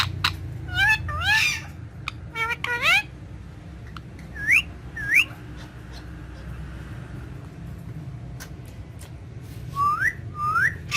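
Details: Ringneck parrot, green, indoors with a mirror: bursts of rising whistles and scratchy notes early, then isolated clear upslurred whistles spaced a second or more apart, a pair closing the clip.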